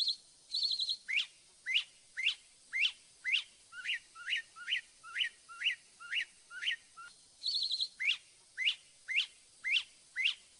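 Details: Mimus polyglottos, the Northern mockingbird, delivering a long series of sharp downslurred notes about twice per second, opened and interrupted by quick high trilled flourishes.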